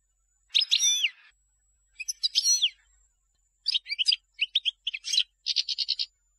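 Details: European goldfinch song used to teach young birds: separate bursts of bright, twittering notes with slurred rising and falling whistles, pausing between phrases and closing with a short buzzy rattle.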